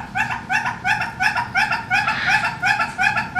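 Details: A male red-billed hornbill (Tockus erythrorhynchus) at a zoo bird house gives a steady run of nasal, clucking notes, about three per second, over a low background rumble, with neighbouring birds also calling.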